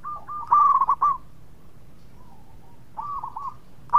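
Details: Local Indonesian zebra dove (perkutut) in full song: a loud, stuttering burst of rolling coos, then a softer distant answer and another loud phrase at the end, with fainter doves cooing in the background.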